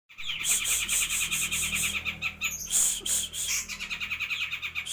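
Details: Grey-cheeked bulbul (cucak jenggot sebrang) singing steadily, from Purbalingga: a rapid chattering run of bright, high notes repeated in quick succession for the whole stretch, with brief louder harsh bursts near the middle.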